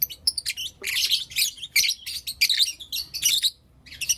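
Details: Blue opaline and lutino opaline lovebirds chirping in the morning, a steady run of loud, buzzy, high-pitched chirps packed closely together, easing off near the end.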